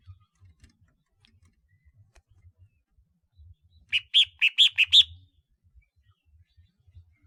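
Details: Decoy red-whiskered bulbul, ringed-neck type (chào mào khoang cổ): a long quiet stretch broken by a single one-second burst of six loud, clear chirping notes, then silence again.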